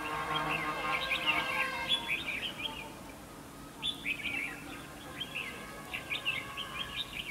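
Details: Song of a red-whiskered bulbul used in decoy trap fighting: bright, jumbled warbling phrases in two bursts separated by a short pause, notes rapid and chattering, with a faint humming tone behind.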